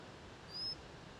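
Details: White-capped redstart (chafi) at Nainital in Uttarakhand, India, giving one short, thin, high-pitched whistle that rises slightly in pitch, heard against a quiet hissing background.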